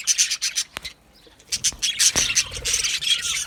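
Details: Aviary colony of Australian budgerigars: quick high chirps, a near-silent gap, then renewed busy twittering with squeaky notes and a short soft buzzing trill.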